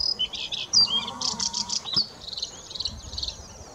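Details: A Bluethroat sings in Lapland, a fast, varied phrase of high twittering, ringing and buzzy notes.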